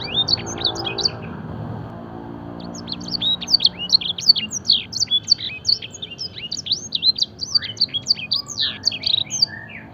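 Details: Canary trained to sing blackthroat and edel sanger phrases, a luxurious full song; after a soft opening, quick high sweeping whistles pour out in a dense rapid string, with a few lower notes near the end.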